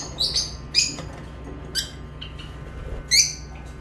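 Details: Lovebird chirps come as short, shrill, high-pitched notes in scattered pairs and singles separated by pauses, with a faint low hum behind.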